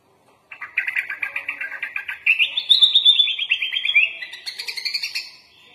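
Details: Sooty-headed bulbul (kutilang) in lively gacor form, singing a full-isian master song packed with inserted phrases: a quick run of bright, chattering whistled notes that climbs in pitch midway, then slides back down into clipped, repeated chirps.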